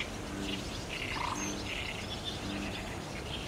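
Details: Barn swallows flocking into their roost on a cloudy day, 30 June 2019, captured by DSLR: quick high twitters and chirps, one clearer mid-pitched note near the start, a faint lower repeated tone underneath.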